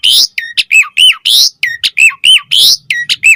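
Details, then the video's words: Asian pied starling song meant to draw replies from other starlings: loud alternating harsh squawks and bent whistled notes, repeated about every half second in a steady pattern. "Suara Jalak Suren Bakal Langsung NYAUT Buat Masteran & Pancingan Burung Jalak Agar Gacor Full Isian"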